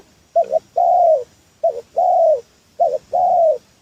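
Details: Spotted dove (tekukur) lure call used for trapping wild doves: three cooing phrases, each a short wavering double note followed by a longer, smooth, slightly falling coo, repeated about every 1.2 seconds against a quiet background.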